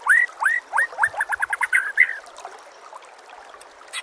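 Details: Training master song of a white-rumped shama: three looping upward whistles, then a rapid chattering trill that fades into soft notes.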